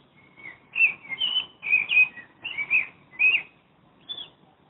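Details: Common blackbird recorded from a Madrid window, a flowing melodic run of fluted whistles, several quick notes linked together with small dips and rises, ending after a pause with one high thin note.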